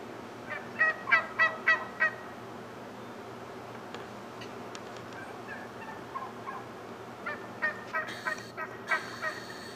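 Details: Male wild turkey displaying in the morning with a group of turkeys, giving two bursts of rapid, rattling gobbles, about six quick pulses each, near the start and again near the end, with quieter calls and background noise between.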